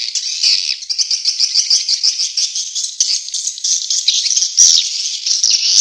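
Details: Swiftlet lure sound, Tombak Raja, played to attract swiftlets: unbroken, shimmering chorus of thin, rapid high chirps and trills, pulsing slightly in loudness without pauses.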